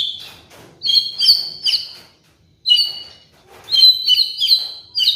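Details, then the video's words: Murai batu, or white-rumped shama, a cage bird, delivering trigger song meant as a master for molting birds: bright high warbled phrases with sharp ringing notes, repeated in short bursts with brief pauses. "PANCINGAN MURAI BATU | MASTERAN BURUNG MABUNG"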